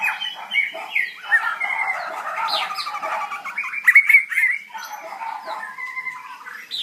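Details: White-rumped shama pouring out a dense, varied song of fast trills, whistles and harsh chirps, with a louder burst of sharp notes near the middle.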